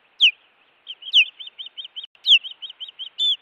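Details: Intruder at an osprey nest in Montana, 16 June 2017: loud, falling, whistled yelps, each followed by rapid strings of short high chirps, ending with a brief flat whistle.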